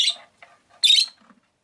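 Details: Rosy-faced lovebird in a cage by a window makes two harsh, buzzy screeching chirps with a short soft chatter between them.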